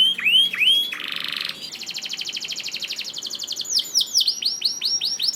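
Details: Canary singing to prompt other canaries to sing: a few swooping whistles, a buzzy block, a long even rapid trill, then a run of falling swoops.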